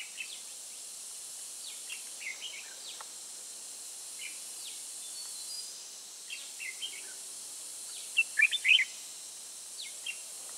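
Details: Red-whiskered bulbul, a 'Ché'-type bird trapped in Tây Ninh on 21 June 2018, giving short, bright chirpy phrases in scattered bursts, loudest near the end, over a steady hiss of background noise.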